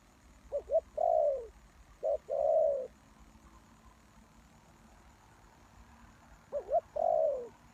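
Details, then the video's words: Hoarse cooing of a spotted dove used as a decoy for wild doves. Two phrases come early, then a long silence, then a third phrase. Each has brief introductory notes and a sustained, drooping coo. "Suara Tekukur Pikat"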